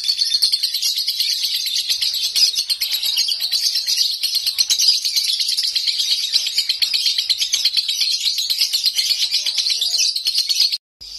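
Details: Konslet nonstop song of a home-kept lovebird, a fast, shrill stream of repeated chirps lasting over ten seconds before a sudden cut.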